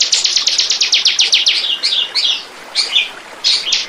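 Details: Lure recording of a bar-winged prinia: rapid string of high, dry ticking notes for a second and a half, then scattered warbled and slurred chirps separated by short pauses.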